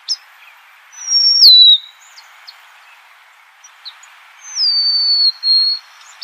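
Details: Golden-crowned sparrow song: two clear, high whistled phrases, each sliding downward and then holding a steady pitch, separated by about three seconds of near silence with a few faint chips.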